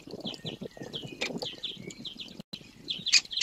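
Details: Young great spotted woodpeckers being fed, begging for food: a rapid stream of short chirps repeated about three times a second, with soft rustling and low knocks beneath.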